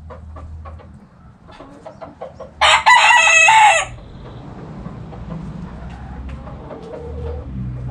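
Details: Backyard rooster crows once, a loud harsh call of about a second, set against soft hen clucks and a low steady rumble.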